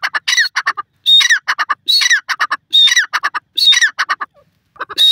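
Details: Teetar, the grey francolin, repeats loud grating call phrases, each a quick string of harsh notes led by a high sliding whistle, phrases roughly a second apart.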